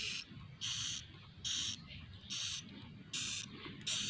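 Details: Swiftlet chicks, recorded inside a swiftlet house, give harsh, hissing bursts, each about a third of a second long and repeated nearly every second, over a faint low rumble.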